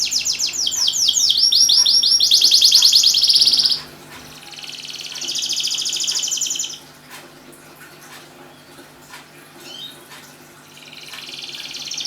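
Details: A singing canary, used as a lure to get silent canaries singing: rapid swooping notes and a dense trill, then a quiet gap, a softer trill, and a later faint trill after more silence.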